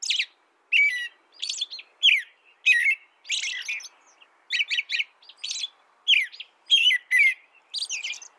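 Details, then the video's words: Continuous song of an American robin: rapid, evenly spaced whistled phrases, each bright and falling slightly, with high squeaky overtones, carrying on without a break. "canto de robin americano AMERICAN ROBIN"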